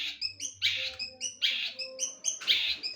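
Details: Long-tailed shrike singing "tengkek boto" material linked into its song: a rhythmic series of harsh, buzzy chattering notes with high whistled overtones, repeated about twice per second.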